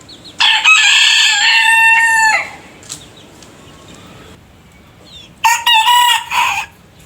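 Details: Crowing rooster, one voice among a variety of roosters: a loud, rich crow lasting about two seconds with a level body and a drooping tail, then near-silence before a shorter second crow.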